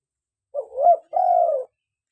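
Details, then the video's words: Spotted dove (local tekukur) calling, recorded as a lure and to prompt captive doves to call: a soft low coo with a rising middle, a brief pause, then a long steady falling coo, no other sounds. "PANCINGAN SUARA ASLI BURUNG TEKUKUR LOKAL GACOR || UNTUK MIKAT || UNTUK TERAPI AGAR IKUT BUNYI"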